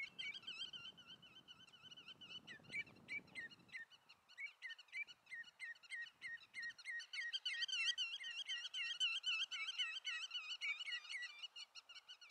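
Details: Common redshank in Eemland nature reserve near Eemnes, Netherlands, on 5 April 2014, giving fast, repeated ringing whistled notes, three or four a second and sometimes overlapping, with low rumbling wind noise in the first seconds.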